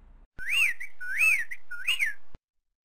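An Eastern Whip-poor-will gives three quick whistled phrases, each a rising-falling 'whip-poor-WILL', repeated about every two-thirds of a second, clear and unaccompanied.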